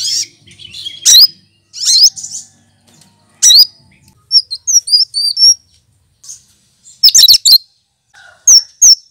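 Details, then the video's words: Cucak kinoy, a green leafbird imitating other birds' voices, used as a tutor: loud rising whistled bursts, a run of tiny thin twittering notes midway, and two clear high whistles closing. "Burung Cucak Kinoy!!!Masteran Pintar Menirukan Suara Burung lain"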